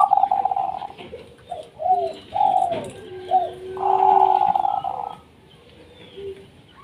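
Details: Lively singing of a local wild-type zebra dove from Indonesia, meant to set other doves singing: bursts of rapid warbled coos alternate with short slurred notes and a low hum, then a long trilled phrase.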